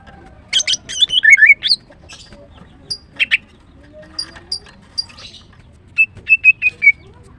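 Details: Morning song of a female greater green leafbird (green cucak): scattered bright chirps and twisting whistled notes, ending in a run of four or five similar clear notes repeated rapidly.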